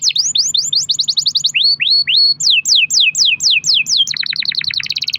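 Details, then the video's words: Lure recording of a singing canary in long-roll style: cascades of steeply falling whistles, a few slower rising slurs, more falling sweeps, then a rapid buzzy roll at the close. "kenari gacor ROL PANJANG buat pancingan kenari agar bunyi"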